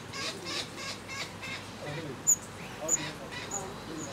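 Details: Red-browed finch (Neochmia temporalis) at Queen Mary Falls on Spring Creek, South East Queensland, Australia, calling: several very high, thin, piercing 'seee' notes about a second apart over a rustling, noisy background with faint other bird chatter.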